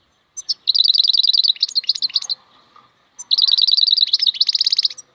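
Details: Singing wild goldfinch: short chips lead into rapid liquid trills of high notes, broken by scratchy varied twitters, two phrases in five seconds.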